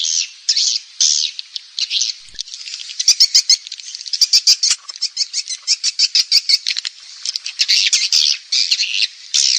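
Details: Swiftlet calling and roosting sounds played by Indonesian swiftlet farmers to draw birds to roost: bursts of high, rasping twitter alternating with runs of quick sharp chirps.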